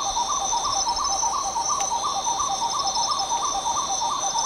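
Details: Spot-winged Wood-Quail (Odontophorus capueira) gives mellow, low hooting notes in a quick rolling rhythm, about three per second, over a steady high buzz of insects.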